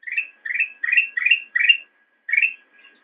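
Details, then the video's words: Black-crested bulbul training song for cage birds: five quick, rich upslurred whistles, a pause, then one more and a faint trailing note. "Ocehan Burung Kutilang Emas"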